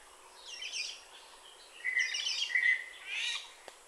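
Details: A black-naped oriole in Kaohsiung on 2016-05-09 gives a few scratchy, rasping bursts mixed with short, clear whistled notes over about four seconds, against a faint steady hiss.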